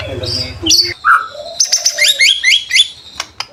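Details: White-rumped shama song for stimulating other shamas: a low buzzing sound at the start, then scattered whistles and a series of high, stepped, chirping notes ending in sharp clicks.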